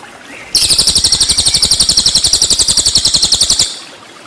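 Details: Cililin song for training murai batu: a single sustained burst of quick, sharp, high trill notes, steady in pitch, roughly eight per second for three seconds, then silence.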